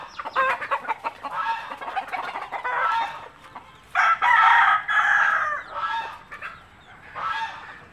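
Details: Native village chickens: a mother hen scratching and picking up bits of food, dropping them to show her chicks, with rapid bursts of clucking, about two per second, rising to louder, denser clucks midway.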